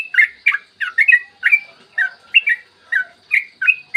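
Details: Yellow-vented bulbul in lively 'ropel panjang' long-trill singing, recorded in the morning as a lure to make other bulbuls sing. Bubbly, gurgling whistled notes come in quick pairs and triplets, each phrase slurring up and down, with short gaps between bursts.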